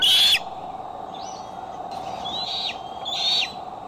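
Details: Eagle cam at Decorah, July 6, 2011, afternoon or evening: a bald eagle gives one loud high whistled call, then several fainter thin whistles, each held briefly before dropping, with steady hum behind.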